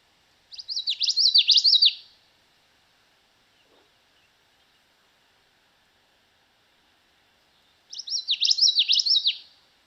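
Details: Common Yellowthroat, a Kentucky spring migrant, sings two bright, rolling songs of quickly repeated three-syllable phrases (wichita-wichita), each about a second and a half long, with a quiet pause between them.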